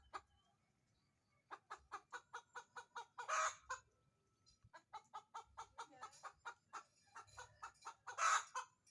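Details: Chicken cackle around egg laying: a long run of short rhythmic clucks building to a loud harsh squawk, repeated twice.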